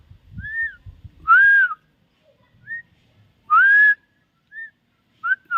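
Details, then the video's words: Common myna whistling in alternation: short arched notes trade with louder rising-then-level whistles, repeated about every two seconds, with faint low noise at the start. "shalikh pakhi.talking birds."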